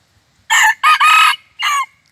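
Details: Red junglefowl decoy cock, once injured and nursed back to health, used to lure wild junglefowl around New Year 2021; a short crow in four harsh, harmonic bursts, the middle two nearly joined, over a quiet background.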